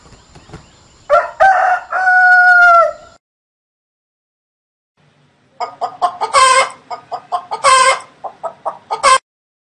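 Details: Chicken crowing: a harsh, broken opening followed by a long sustained ringing note. After a pause comes a run of loud clucking and cackling notes of uneven rhythm.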